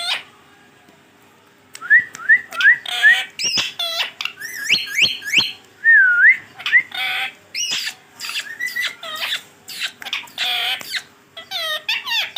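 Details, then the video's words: Talking pet green ringneck parrot: after a quiet start, a few short rising whistles lead into rapid chattering, squawky syllables and whistled notes, loud and continuous to the end. "boline wala tota😍 check karen kitne words bol Raha he full Talking of my parrot"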